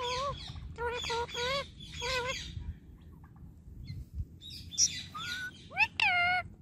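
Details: Talking pet Indian ringneck parakeet, a super friendly bird: three wavering, harmonic, voice-like syllables early on, a quieter gap, then rising and falling chattering phrases and a loud bent call at the end.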